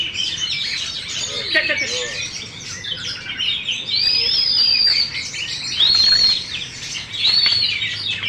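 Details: Champion caged Oriental magpie-robin with tail fully spread, singing a dense stream of varied chirps and scratchy trills, broken by several long, slightly falling clear whistles in the second half.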